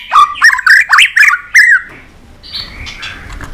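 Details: Tail-flicking white-rumped shama gives a loud burst of rich warbled, rising and falling whistles, then fades to softer, distant high notes.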